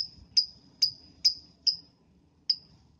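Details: Lovebird in the morning, calling to spur other lovebirds to sing: five piercing high chirps, each with a sharp onset and short fading tail, about every half second, over a soft low rumble.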